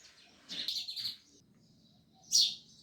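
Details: Sparrow chirping: a smeared burst of chattering notes, then one sharp, bright chirp, over steady low background noise.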